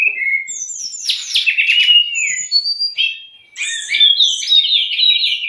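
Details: Tutor and provoking song of the brown-chested jungle flycatcher, meant for raw or stressed captive birds: descending whistles, then dense warbled trills, a short lull, and a fast stepping run of notes.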